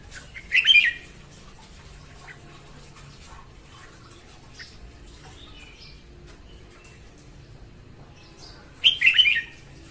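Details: A female red-whiskered bulbul sings in the morning, a lure for trapping and for training other bulbuls; a short, loud, bubbling warble opens the clip, a quiet gap follows, then a similar burst comes about eight seconds later.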